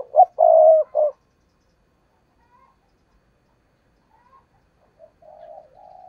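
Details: Caged spotted dove used as a lure bird for trapping wild doves, giving a loud three-part coo around one second in, then faint softer cooing later in the clip.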